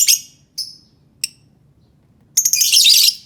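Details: Lovebird calling, meant to coax quiet lovebirds into song: three sharp, separate high chirps spaced about half a second apart, then a loud continuous burst of harsh, buzzy chattering.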